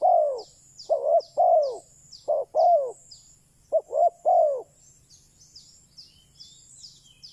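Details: Spotted dove decoy calling to attract wild doves: three groups of low coos, each short notes leading into a longer downslurred coo, then silence with high chirping of small birds.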